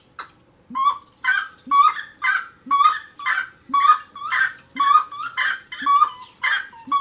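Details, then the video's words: Wood rail (saracura) song: loud, harsh, cackling notes repeated about once a second, each hoarse phrase followed by a short low grunting note, in a steady rhythmic series on a quiet background. "SARACURA...lindo canto"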